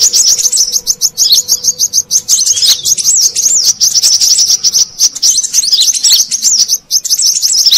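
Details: Brown-throated sunbird lure call for attracting wild birds in Indonesia: a nearly unbroken stream of rapid, high, squeaky chirps and trills over a faint low hum.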